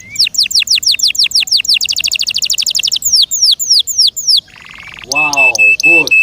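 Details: Song of a canary in care: repeated sweeping notes that drop in pitch, speeding into a quicker chattering tour, then a dense buzzy phrase with lower arched notes near the close.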